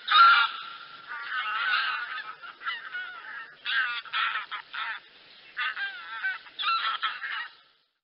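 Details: A flock of wild geese, barnacle and greylag, gives loud, nasal honks in overlapping bursts, some bright and yelping, with brief pauses between the clusters of calls.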